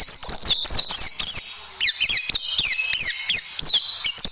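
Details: Tembakan song of an oriental white-eye, used as tutoring for caged birds: rapid high whistles sliding downward and upward, packed closely together, with crisp clicks between the phrases.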